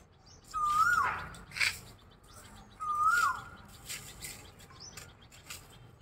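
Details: Asian koel (koyal), described as becoming irritated, gives two whistled notes that rise then drop, about two seconds apart. Brief sharp chirps and background noise accompany them.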